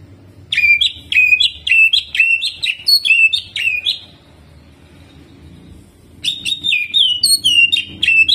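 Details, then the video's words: Greater green leafbird singing energetically in the jamtrok style, with rolling phrases and mimicry of prinia (ciblek): rapid runs of bright, downslurred whistled notes, several per second, in two bursts split by a quiet pause. "CUCAK IJO GACOR JAMTROK ISIAN CIBLEK DAN NGEROLL"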